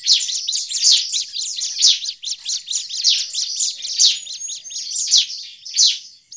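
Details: Bar-winged prinia in agitated calling, used as a lure for prinias in forest; rapid-fire high chips in a dense rattling stream with regular louder accents.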